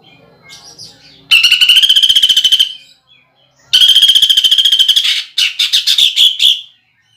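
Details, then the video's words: Greater green leafbird giving a coarse, rolling lure song with fill-ins copied from woodpecker, kingfisher and fighting sparrows. Two long buzzy rattled phrases with a steady whistled core, then a burst of sharp repeated notes. "PANCINGAN CUCAK IJO ISIAN PELATUK BAWANG SAMBUNG TENGKEK BUTO DAN GEREJA TARUNG"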